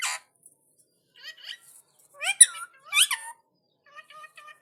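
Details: An Indian ringneck (rose-ringed) talking parrot, responding to another parrot, chatters in bursts of high, squeaky, speech-like syllables with sharp upswept notes, ending in a run of quick thin chirps.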